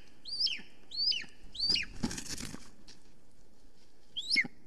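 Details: Golden eagle female flying around her nest in Estonia while calling, recorded by a live nest camera on 13 July 2020 at 9:53 am: three high downslurred yelps, a burst of loud wingbeats, then one more yelp.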